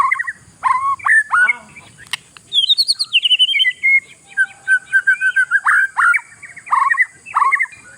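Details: Caged oriental magpie-robin singing, a song used to provoke rival birds: loud varied whistled phrases, short rising and falling notes repeated in quick series, with a steady high electronic hum behind.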